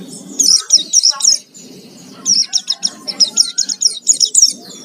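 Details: Oriental white-eye singing in a lure recording used to provoke other birds to sing, lively 'gacor full isian' style: bursts of high, rapid chirps and trills, a brief pause near the middle, with a faint low murmur underneath.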